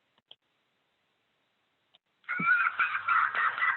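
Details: An Adirondack Common Loon chick begs its parent to dive for fish: after a near-silent start, a burst of screechy, whiny, wavering cries runs continuously for about a second and a half.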